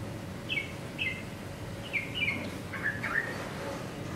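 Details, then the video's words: A male yellow-vented bulbul singing alone: short bubbly, slurred phrases of two or three quick notes, given roughly every half second to second, with a steady low background hum. "bulbul singing"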